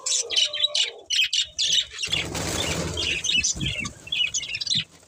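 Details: Budgerigars chirp in short, separate high squeaky notes, then a steady hiss or rustle rises underneath as lively warbling chatter goes on.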